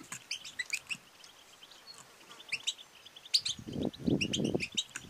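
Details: European goldfinch female calling, 'batbata' and 'sestesa' styles, to stimulate male singing and mating; rhythmic high chirps and twitters throughout, with a low rumbling noise in the last second and a half.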